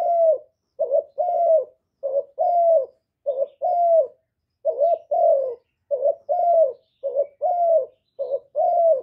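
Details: Spotted dove used as a decoy bird, cooing in calling, urging and accompanying styles meant to provoke other doves. Recorded directly without background noise. Low, mellow coos: a short note, then a longer sliding coo, repeating about every 1.2 seconds.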